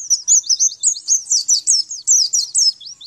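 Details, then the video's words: {'caption': 'Training song of a white-eye. A lively, nonstop series of loud, high, sweet whistled slurs, each falling in pitch, delivered several per second in a clear, quiet setting.'} "Males bunyi Ini masterannya Di jamin langsung nyaut dan gacor kembali"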